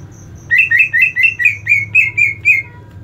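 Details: Greater green leafbird giving a fighting call meant to train mental toughness: eight loud, rasping slurred notes in quick even succession, with a soft ticking behind.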